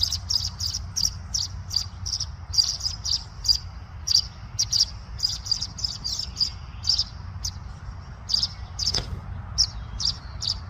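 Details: Tree swallow (Tachycineta bicolor) in spring, singing quick, liquid high chirps and twitters in irregular bursts, several per second at times, over a steady low background rumble.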